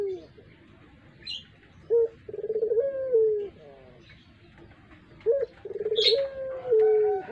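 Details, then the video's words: Puter pelung collared dove, a lure bird, gives two coos: each has a short opening note, a rapid rolling stutter, then a drawn-out falling note. Small birds chirp and twitter high in the background. "Burung puter pelung.cocok buat pancingan"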